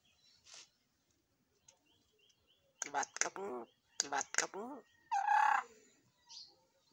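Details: A household myna talks in a run of short, raspy, speech-like syllables with stacked harmonics, then a sustained tonal whistle-like note and a quieter final chirp. Quiet gaps separate the phrases.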